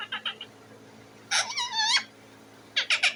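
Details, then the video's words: Pet parrot sitting on top of its cage, calling for food: harsh squawks, a drawn-out wavering nasal cry in the middle, then two more rasping squawks, indoors with a faint steady hum. "The parrot is sitting on the cage and making a noise"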